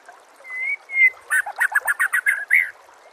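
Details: Training song of the white-rumped shama for captive birds: two drawn-out clear whistles followed by a rapid, rhythmic run of rich chirps ending in a fuller note.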